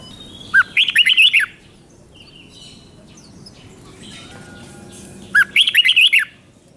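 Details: Caged Red-whiskered Bulbul from Thailand singing a five-syllable song in the doubled style: two bright, warbling whistled phrases, each a quick run of about six rising and falling notes, separated by four seconds of quiet with faint chirps.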